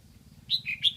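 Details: Decoy red-whiskered bulbul from Lạng Sơn, Vietnam, kept caged to attract wild bulbuls, giving a brief burst of three clear, slurred whistled notes after a moment of quiet with faint background hum.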